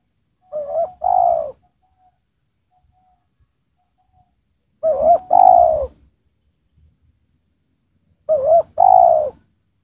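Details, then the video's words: Spotted dove used as a well-singing decoy to lure wild spotted doves down; three widely spaced low cooing phrases, each a short double coo followed by a longer slurred note, with quiet gaps between. "Pikat Tekukur Gacor di Turunin Tekukur Liar"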